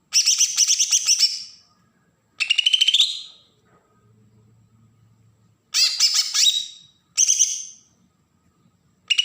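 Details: Bornean green leafbird, Berau, Kalimantan, in besetan mode, an agitated song for provoking newly caught birds: five chattering, buzzy bursts of rapid notes at irregular intervals, with a faint low hum during one pause.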